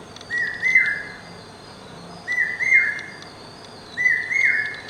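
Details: Common hawk-cuckoo, known as brain fever bird or Akka kuyil, singing incessantly: three loud whistled phrases about 1.8 seconds apart, each of stepped notes climbing in pitch with a rising final note; fainter high chirps from another bird behind.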